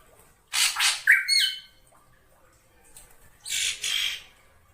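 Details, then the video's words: Black drongo calling for luring other birds: a rasping, noisy squawk closing on a bright ringing twang, then a quiet pause and another harsh burst. "suara pikat burung srigunting hitam dijamin Ampuh langsung nyaut"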